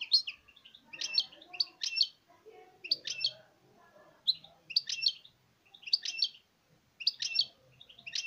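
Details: Short, clipped double notes from a European goldfinch, repeated about once a second in a steady series, bright and high, over soft low indoor background sounds.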